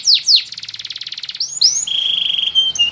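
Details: Caged canary in full song, the green-type bird called a gacor singer: fast descending whistled sweeps, a rapid buzzy trill of repeated notes, then a long steady high whistle and short rising slurs.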